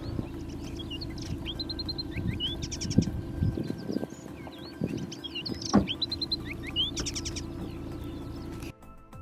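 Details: In Victoria, in southeastern Australia, a Striated Fieldwren sings its complex song, a tumbling run of high sweet whistles, quick buzzy trills and chattery notes, over a steady low musical hum.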